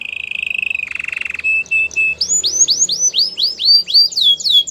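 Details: Canary song meant for training other canaries: opens with a steady buzzy trill and a rattling burst, then short level whistles, then a run of loud, swooping downslurred notes about four per second.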